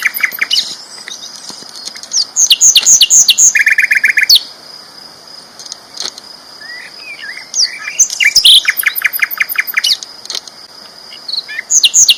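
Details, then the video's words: Loud, lively song of a champion sikatan londo flycatcher: bursts of rapid high chirps, a short buzzy rattle, then twittering phrases, all over a constant high-pitched whine. "BURUNG SIKATAN LONDO GACOR ISTIMEWA KERAS LANTANG"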